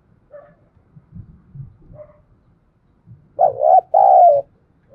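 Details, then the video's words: A spotted dove cooing in the half-light before dawn. Soft, faint notes and low rustling are followed by a louder, breathy double coo near the end, the second note drawn out and fading. "Tiếng chim cu gáy thúc gù và gáy gọi lúc tờ mờ sáng"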